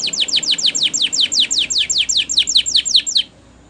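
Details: Spanish Timbrado canary training song: a steady run of sharp, high descending notes repeated rapidly, roughly four per second, ending abruptly into quiet background hiss.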